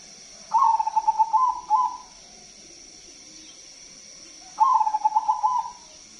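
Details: A zebra dove (perkutut) sings two loud cooing phrases about three seconds apart, each a rapid run of soft, stuttering notes, over a steady high hum.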